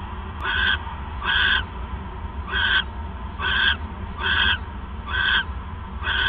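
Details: Night recording from December 28, 2014, at 9:42 PM of an owl as the male arrives with a third mouse; short hoarse rasps repeat about once a second, with a constant low hum beneath.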